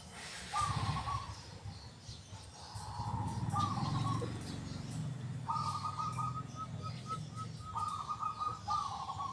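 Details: Local zebra dove with a strong, clear 'kung' voice. Short rippling coos come first, then a long series of bubbling trilled phrases. A low droning, music-like hum runs underneath for much of the time.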